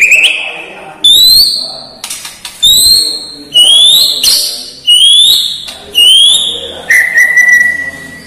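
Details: White-rumped shama whose repertoire includes imitations of lovebird, cililin and sparrows: a series of loud, clear whistles, each sweeping upward, repeated about every second, with faint background noise.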